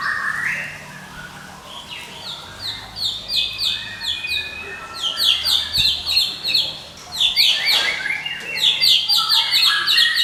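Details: Medan white-rumped shama in nonstop ngekek, a lure and master song for training: rapid, repeated sharp chattering notes, roughly four per second, with rising and falling whistled phrases; faint low background hum.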